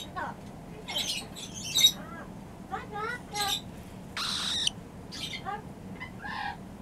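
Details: A newly arrived pet cockatiel gives a run of short, bright chirps and rising whistles, broken by a harsh, buzzy squawk, over faint indoor room noise.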